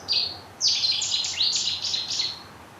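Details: A Cetti's warbler at Bickershaw Country Park, Wigan, a reclaimed mining site, gives its explosive call: one sharp opening note, then a sudden loud, rapid burst of ringing, high notes lasting under two seconds, over soft background hiss.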